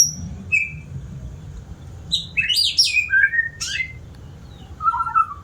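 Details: A keen-singing white-rumped shama gives a few thin whistles, then a loud burst of fast, descending slurred notes, ending with a softer warbled whistle.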